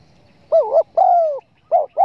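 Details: Spotted dove lure sound for hunters, meant to draw wild doves in: a short wavering coo, then a longer smooth level coo, then the next phrase begins, low and mellow against a quiet background.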